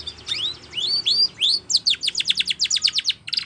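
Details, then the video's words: Spanish Timbrado canary training song opening with rising slurred whistles, then breaking into a fast pulsing series of short high notes. "Canary Singing / Spanish Timbrado song For Training"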